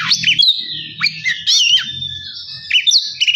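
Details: Oriental magpie-robin song meant to provoke another bird: varied whistled phrases, rising slurs and chattering notes, with a low murmuring hum underneath.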